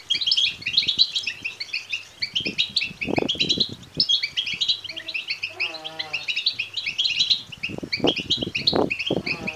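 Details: Begging calls of European goldfinch chicks, meant to excite males into song and mating: busy overlapping high twittering chirps throughout, with a brief low buzzing rattle near the middle and scattered dull thumps.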